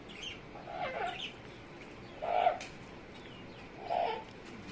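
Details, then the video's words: Pet Amazon parrot making funny noises. Three short, hoarse, clucking hoots come at uneven intervals of about one and a half seconds, in a quiet room. "is making funny noises"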